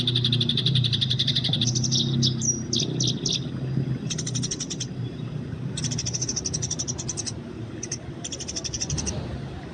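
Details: Eurasian tree sparrows in the wild, fighting, recorded for training: loud runs of fast, high chirping, with brief sharp notes between blocks and pauses, over a noticeable low rumble.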